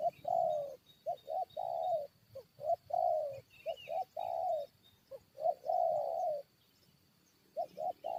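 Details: Spotted dove used to draw wild birds into a fight, giving loud, clear coo phrases: two short notes then a long falling croo, repeated about every two seconds, pausing briefly before resuming; a faint chirp is heard.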